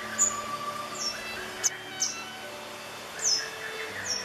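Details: A Grey Wagtail in summer plumage gives six sharp, very high, clipped notes at irregular intervals over about four seconds, against a faint steady background hum.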